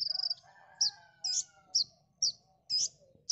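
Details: Konin song used to train songbirds: a brief rapid trill, then separate loud, squeaky high notes about every half second over a lower wavering whistle from another bird.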